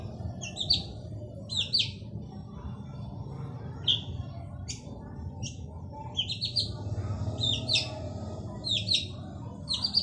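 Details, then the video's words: Male long-tailed shrike in full song: harsh, grating double notes spaced a second or two apart, occasionally in quick clusters, over a constant low droning background. "Burung cendet jantan gacor dor cocok untuk pancing cendet bisu"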